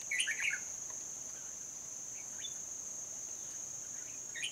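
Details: Red-whiskered bulbul used as a decoy for trapping wild birds in Hòa Bình, Vietnam, on 14 November 2020. Short chattering, warbled bursts open and close the clip over a loud, steady high insect drone.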